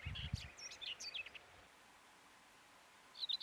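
A common whitethroat gives a quick, scratchy burst of high chattering notes lasting about a second, then a short pause and a brief twitter, with a low thump at the start.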